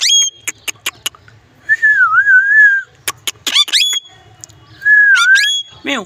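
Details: Pet parrot whistling a wavering, dipping tone twice, mixed with sharp clicks, rapid rising squeaks and harsh harmonic calls, all loud and close against a faint low hum.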